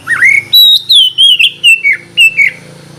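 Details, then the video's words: Oriental magpie-robin morning song meant to prompt silent birds to sing: a rising opening whistle, then a series of clear, wavering notes stepping gradually lower, over a steady low background hum. "terapi pagi cocok buat mancing kacer malas bunyi supaya cepat gacor"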